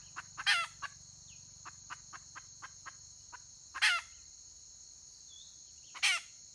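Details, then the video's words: Wild red junglefowl hen, 31 May 2023, calling three times with coarse rasping notes about two to three seconds apart, a run of soft ticking clucks between, and steady insect drone throughout. "Suab poj qaib qus tsauj"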